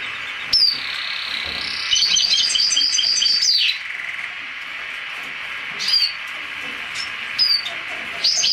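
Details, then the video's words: Black-headed siskin and canary hybrid giving sharp high chirps, then a sustained warbled, trilling phrase of nearly two seconds, followed by more scattered short upslurred notes over a faint steady hiss. "carduelis magelaan X canary"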